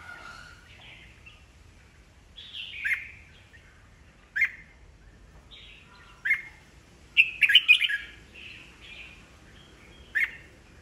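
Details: Red-whiskered bulbul, an old wild-caught bird, singing to provoke rivals; scattered short sharp whistled notes and one fuller warbled burst, fainter over a faint background hiss.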